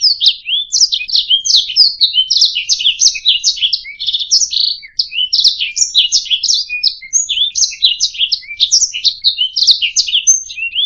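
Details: Warbling canary on a master track for training other birds, a nonstop cascade of rapid high buzzy notes and trills with a momentary dip midway, plus scattered short whistles, no other noises.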